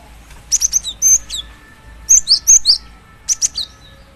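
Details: Calling female cinereous tit summoning a male, loud clusters of high, sharp chirps and short slurred notes delivered in three distinct bursts, with a faint steady hum underneath.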